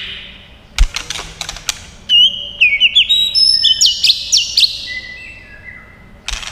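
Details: Long-voiced white-rumped shama song during a fighting display: scattered tail clicks, then a run of clear, tumbling whistled notes stepping up and down in pitch, fading into softer low whistles and a final click.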